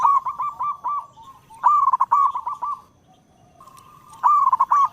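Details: Local zebra dove singing sweetly in all directions. Rolling, stuttered coo phrases come at the start, middle and end, separated by a quiet lull holding a faint steady tone.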